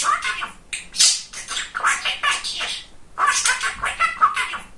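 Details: Chatty pet male budgerigar mimicking speech. Hoarse, buzzy syllables come in two rapid runs separated by a short gap near the middle.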